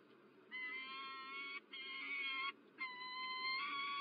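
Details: Peregrine falcon at Illkirch-Graffenstaden, France, recorded in the morning on 27 January 2023: three long, drawn-out, harmonic wailing calls, each about a second, separated by short pauses, over faint low background rumble.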